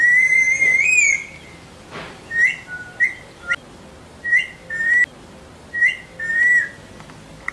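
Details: Parrot whistling during a training session: clear whistled notes, one long wavering note first, then short rising-and-falling whistles in pairs roughly every second, with quiet pauses between.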